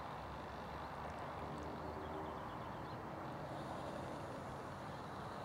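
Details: Steady broadband rushing noise like distant traffic and wind, with no clear animal call.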